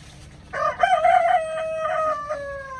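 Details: Chicken giving a full crow: a rough, broken start that settles into a long, steady, ringing tone that tails off downward, with faint low rumble behind it.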